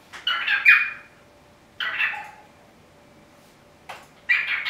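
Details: A 24-year-old male cockatiel (hatched 1998) on a window perch beside a budgie friend gives harsh, scratchy chirping bursts separated by short pauses during a chattering session in which he often repeats his name.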